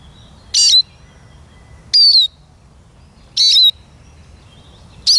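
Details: Eurasian siskin song given as a series of sharp, high, slurred notes, each dipping slightly in pitch, repeated roughly every one and a half seconds over faint low background hum.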